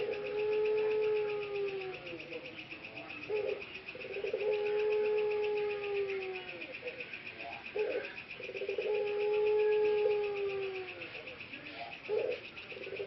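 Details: Three productive male ringneck doves (puter pelung) in Indonesia, hoarse after long breeding-cage confinement and recovering their voices, give long low drawn-out coos, each held about two seconds and repeated every four to five seconds, with a steady high hiss behind.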